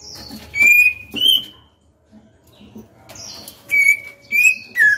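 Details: A female white-rumped shama, a pet bird, sings to provoke males: clear, loud, level whistled notes with sharp onsets, given in pairs and threes, separated by a second of near silence.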